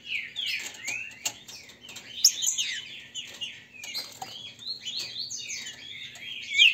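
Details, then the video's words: Captive Green-winged saltators from Brazil, grego mole and boiadeiro styles singing against each other to warm up birds. Quieter, crowded tangle of swooping whistles and short notes with faint clicks beneath, ending in a sharp loud phrase. "Disputa para ESQUENTAR TRINCA FERRO (Grego mole x boiadeiro)"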